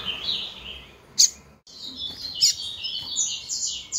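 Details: A female coleiro (double-collared seedeater) calls to arouse males. There are continuous thin high chirps and trills, two loud sharp piercing notes, then a dense twittering stream to the end.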